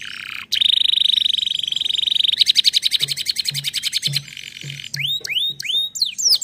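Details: Canary song: a long steady high whistled tone, then a fast rattling trill that slows into separate pulses, ending with repeated swooping chirps rising and falling.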